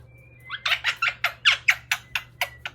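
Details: A pet male Quaker (monk) parakeet, stalling at bedtime, gives a rapid run of harsh, breathy bursts that mimic human laughter.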